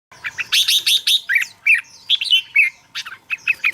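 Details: Red-whiskered bulbul song played to excite caged birds or as a decoy: quick bursts of bright chirps and liquid, rising and falling whistled notes in short jerky phrases, with no other sounds.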